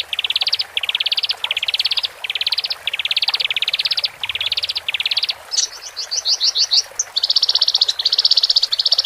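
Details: Male and female Horsfield's bush larks sing for a bird newly separated into a cage: repeated short, high, rattling trill bursts, then a flurry of quick slurred notes and more steady trills.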